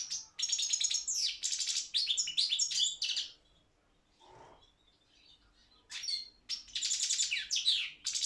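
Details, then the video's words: Competition song of a Balkan goldfinch (Carduelis carduelis balcanica) from an online world championship: long fast bursts of high tinkling twitters and trills, a short pause with a faint low thump, then another lively twittering run. "Pesma štiglića 006/23 World Championship in Goldfinch Song"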